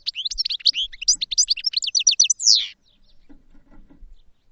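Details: High, tinkling goldfinch song: a rapid stream of varied twittered notes and slurred chirps lasting over two seconds, ending in a drawn-out buzzy wheeze, followed by near silence.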